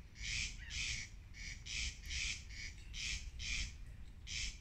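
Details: Rasping two-part crex-crex song of corn crakes in Viikki, Helsinki, 19 May 2020, on the Lammassaari boardwalk; dry scraping pulses come in quick pairs nearly continuously against low background hum.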